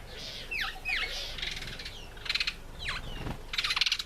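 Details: African green pigeon, Treron calvus, eating apple at close range: loud swooping whistles dropping in pitch alternate with rapid crackling, clicking bursts, calling almost continuously.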